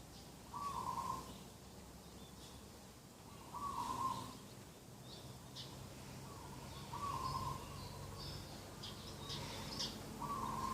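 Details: Morning coos from a dove beside a garden, recorded on 2 October 2021: short, level mid-pitched notes repeated about every three seconds, with faint high chirps of other birds in the background.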